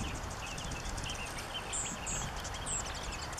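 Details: Anna's hummingbird (Calypte anna) call near Mexican sage, October 11: sharp, very high chip notes about every half second, with fainter lower twitters beneath and a steady outdoor hiss.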